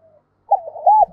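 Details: Spotted dove kept as a decoy to draw wild doves, with a 'thổ' style voice. A single short burst of cooing: a soft opening note, then a quick rolling arched coo.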